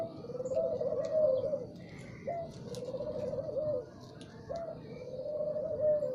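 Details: Morning song of a spotted dove: soft, low cooing phrases, each starting with a brief upward note and running into a drawn-out, quavering coo, three phrases in a row, with light chirping from other birds in the background.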